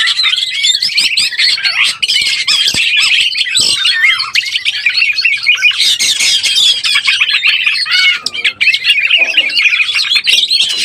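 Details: Oriental magpie-robin in breeding condition, used to lure birds: a long, energetic outpouring of varied whistles, quick slurred phrases and rasping chatter, sustained without real breaks, with a few sharp clicks.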